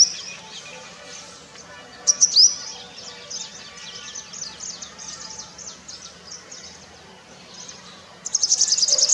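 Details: Purple sunbird courtship song. Soft, high twittering runs throughout, with a short cluster of sharp chirps. At the end comes a rapid, buzzy high trill of evenly repeated notes.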